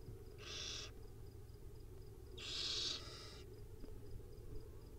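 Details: Nest camera recording of wild owlets at feeding time: two rasping, airy hisses, the second longer and louder at about one second, against a faint steady background hum.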